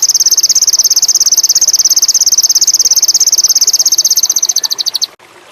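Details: Ruby-cheeked sunbird (sogon indigo) lure song for birds in high breeding condition: a long, rapid, very high-pitched trill of evenly spaced notes that slows slightly, then stops abruptly.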